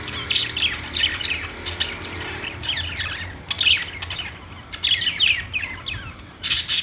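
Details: Perched budgerigars in a pet store give bursts of bright, scratchy chirping and squawks, several birds overlapping, pauses between the loudest clusters, low hum in the background.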